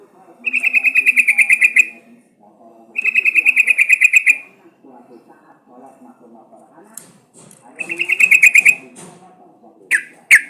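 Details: Sooty-headed bulbul song used as a lure to get other bulbuls singing: repeated loud, rapid rattling trills, each over a second long. Soft chatter fills the gaps, and two sharp notes close the recording.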